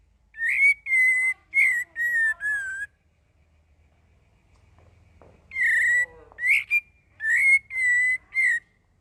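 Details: Young sooty-headed bulbul learning to sing, running through a string of clear, mid-pitched whistled notes full of variation, pausing a few seconds, then repeating a similar varied burst.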